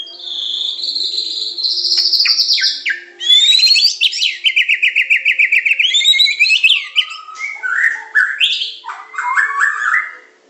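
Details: White-rumped shama of the Medan type singing a long, continuous, varied phrase: a sustained high whistle, a fast rattling series of repeated notes, then lower looping whistled figures.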